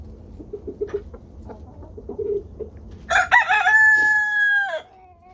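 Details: Homestead chickens out in a 20-degree warmup to 37 degrees: soft clucks and short murmurs come first, then a rooster breaks in with a single strong, drawn-out crow near the end.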